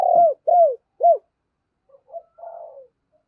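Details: Spotted dove lure bird calling wild doves: three loud arched coos in quick succession, then quieter low coos and a soft falling phrase from another dove.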